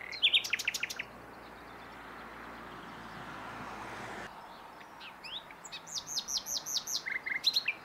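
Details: Common nightingale singing: a burst of sharp, rapidly repeated high notes, then a steady noisy rush, then a run of evenly spaced rising whistled notes with a few lower notes near the end.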